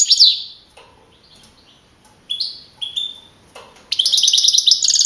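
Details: Young male European goldfinch, a contest champion from the Madrid region that placed first with 42 points in a singing contest in April 2012, singing bright high twittering phrases, short rising notes, then a rapid trilled burst near the end.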